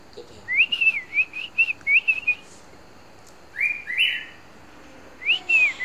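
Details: Captive Red-whiskered Bulbul singing: bright whistled phrases of quick rising and falling notes, a run of five, then a short pause before two more phrases, over a steady background hiss.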